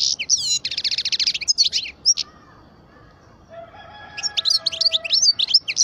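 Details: A twelve-year-old goldfinch of the parva race delivers a rapid, buzzy, rattling trill and sharp twittering notes, then falls quiet while a faint thin tone lingers, before a fresh burst of high tinkling twitters.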